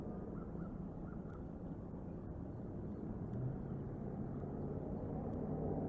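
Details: Steady low rumble of distant vehicle or aircraft noise outdoors, with no animal calls standing out.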